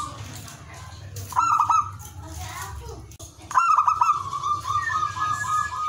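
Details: Zebra dove song meant to raise breeding desire in other doves: two short runs of quick pulsed coos, the second running on into a long series of evenly spaced mid-pitched notes, with a low background hum.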